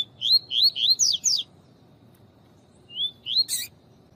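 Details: Double-collared seedeater, tui-tui song type, female chirping to stimulate the male for competition training; a fast series of five rising whistled 'tui' notes, a pause, then two more and a sharp click.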